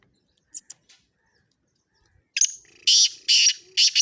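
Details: Black francolin, kala teetar, calling: a few faint clicks, then four loud, harsh, rasping bursts in a quick rhythm, high-pitched and grating, each roughly a third of a second long.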